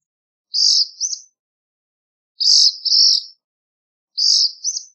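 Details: Three high, buzzy two-part phrases from a black phoebe, each a rough note followed by a quick sweeping flourish, repeated about every one and three quarter seconds.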